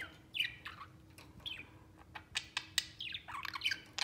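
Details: Budgerigars among a trio playing together give scattered squeaky chirps and short downslurred notes with clicky ticks between, the calls closer together toward the end.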